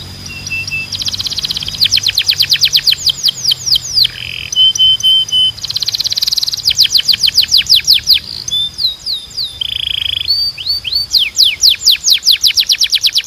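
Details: Belgian canary singing long phrases that alternate dense rapid trills, bursts of sharp downward-swept whistles and short flat buzzy or pure tones, with tempo changing from fast rolls to slower spaced notes.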